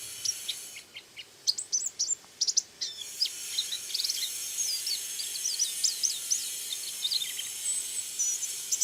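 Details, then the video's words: Active white-eye starting with quick, sharp, high chirps in a burst, then moving into a fast, thin, twittering warble of whistled notes that continues steadily over background hiss. "Burung Pleci Kacamata Kuning Putih Suara Aktif"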